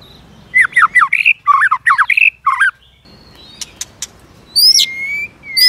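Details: White-rumped shama, a varied many-voiced song meant to provoke other shamas into fighting song, with tail flicking and clicking sounds; rapid bursts of loud rich whistled and warbled phrases, then sharp clicks and high upswept whistles.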